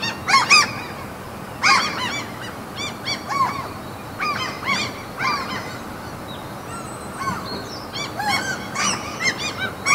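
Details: Several gulls at a Norwegian fjord among mountains give harsh, downslurred mewing and yelping calls in irregular bursts, overlapping one another, over a steady background hiss.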